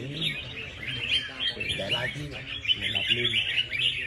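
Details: Competition red-whiskered bulbul, said to perform well and never to have failed to win a prize, pours out fast jumbled chirps and sharp whistled phrases with no clear pauses; faint low voices underneath.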